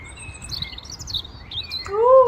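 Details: In the morning in Norfolk, UK, a European Robin gives high, thin, tinkling phrases for nearly two seconds. A louder, lower fluting note from a Common Blackbird follows at the end.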